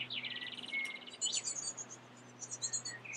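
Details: Great tits at a nest with young nearly ready to fledge, filmed in the evening; a quick run of rapid high metallic notes, then a thin whistled note and scattered very high chirps, over a low steady hum.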